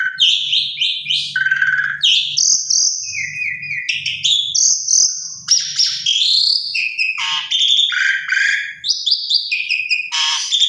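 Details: Asian pied starling singing as a lure to draw replies from other starlings of its kind: loud, varied phrases mixing clear sustained whistles, sudden pitch jumps and harsh grating notes, with a faint low hum beneath.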